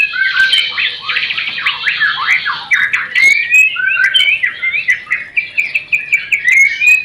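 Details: Loud rencetan chatter of a white-rumped shama, used as a mating lure: rapid, dense, buzzy trills woven with clear upslurred whistles, running without a break and punctuated by sharp clicks.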